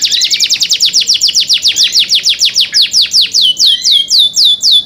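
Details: Canary cenkok song: a clear series of loud, sharply falling whistled notes, starting very fast and gradually slowing to about four per second, with a few lower rising slurs mixed in.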